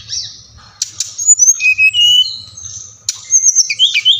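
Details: Song of a brown-chested jungle flycatcher from Bali, used to coax caged birds to sing. Sharp high notes lead into steady whistles held at differing pitches, ending in a quick twittering flourish, with faint background hum.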